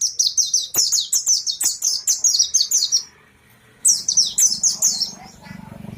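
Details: Caged Oriental white-eye, known locally as pleci, singing energetically again: rapid series of high, sharp chirped notes repeated about four per second, a pause near three seconds, then another quick burst of similar notes.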